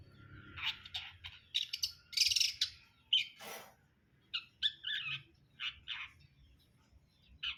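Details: Long-tailed shrike of the brundol sort singing a varied medley of harsh rasps, short squeaky whistles and buzzy notes in uneven phrases, in a quiet setting.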